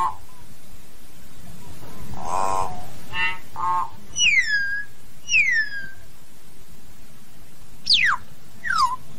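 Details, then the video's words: Common hill myna calling its flock with nasal squawks, then clear falling whistles and a steep long downslurred whistle, with gaps between, over a steady low hum. "Tiếng Nhồng hót, tiếng Yểng hót gọi bầy"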